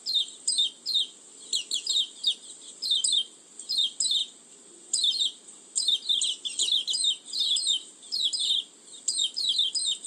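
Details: High, thin oriental white-eye lure song for attracting birds, delivered as quick descending twitter bursts in groups, pausing briefly midway before resuming, with steady background hiss.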